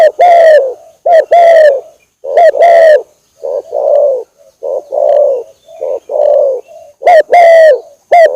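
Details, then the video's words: Spotted dove lure call, vigorous and long-running: bright doubled coos alternate with softer, hoarser, blurred coos, in uneven phrases about once per second. "suara pikat burung tekukur gacorr durasi panjang"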